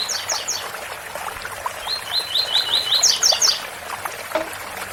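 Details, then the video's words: Rusty-collared seedeater singing the 'tui tui' song style, over a steady rushing waterfall: a few high notes open, then a row of about six clear rising whistled notes ending in three sharper, higher buzzy notes. "Coleiro Tui tui bitola com som de cascata"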